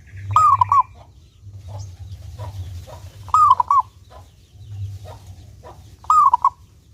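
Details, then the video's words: Clear-voiced local zebra dove, a lure bird meant to make other zebra doves sing diligently. It gives three cooing phrases about three seconds apart, each a rising whistle breaking into a short stutter, with faint clicks and low rumble between. "Perkutut Lokal Gacor Suara jernih ini Paling Ahli bikin Pancingan Burung Perkutut Agar rajin Bunyi"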